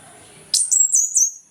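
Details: Orange-headed thrush in ngeplong morning song, meant as a lure for silent birds: a brief run of four or five very high, thin whistled notes descending slightly, following near silence.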